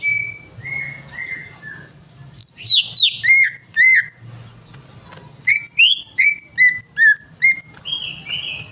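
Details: Greater green leafbird song for prompting a bird to sing: soft descending whistles, then two bursts of bright, rapid slurred notes separated by a pause, finishing with a long wavering whistle.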